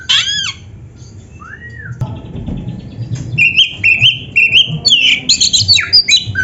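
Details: Kacer song for training caged birds: a few looping whistles and one arched note, a quiet stretch, then rapid repeated bright chirps at about two per second building into busy whistling.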